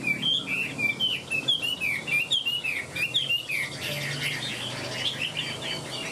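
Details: Caged Chinese hwamei with a fanned tail and displaying wings, singing a lively run of clear whistled notes that slide up and down, tightly packed and varied, with a low hum of background noise.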